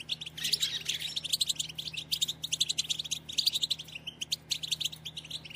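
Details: European goldfinch, described as a female, batbata used to stimulate males to sing: continuous fast twittering of high tinkling notes and short chips, steady rhythm throughout, with a faint low hum.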